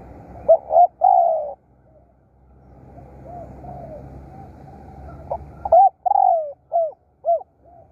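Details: Decoy spotted dove cooing loudly: a stuttered phrase ending in a long coo, softer distant coos in between, then a rapid series of short falling hollow notes.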